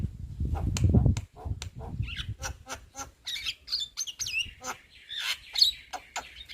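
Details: Young Javan myna singing busily as a cage bird, a rapid string of clicks and dry ticks leading into squeaky whistled notes and rasping phrases, with low thumping noise at the start.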